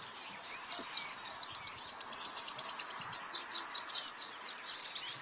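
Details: Champion white-eye singing on a training recording for the trembling 'geter' style: after a brief silence, high sweeping chirps lead into a long rapid metallic trill that ends in twittered flourishes.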